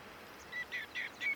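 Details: Common greenshank, a passage migrant in Korea, recorded in early October 2024: a quick series of three to four clear, slightly plaintive whistled 'tew' notes, the first faint, each short and falling slightly, over quiet background hiss.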